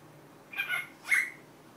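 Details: Pet cockatiel saying the Korean greeting 'annyeong': two quick, raspy, speech-like syllables, the second louder and sharper, over a low indoor hum.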